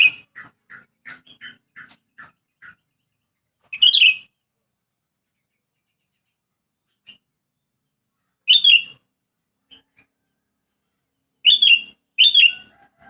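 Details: Sooty-headed bulbul in rural countryside, starting with a run of about ten short, evenly spaced chirped notes, then three loud, sharp, fuller bursts separated by long pauses.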